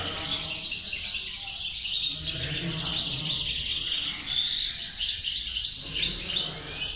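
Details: European goldfinch singing strongly in a 'corona de caderneras' of six batches; a high, dense, tinkling warble continues without pause, with a quiet low background.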